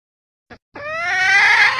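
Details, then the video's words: Hen red junglefowl soliciting mating, a hunting lure sound: one short tick, then a drawn-out nasal note with rich harmonics, rising gradually and holding steady. "SUARA PIKAT AYAM HUTAN BETINA minta kawin"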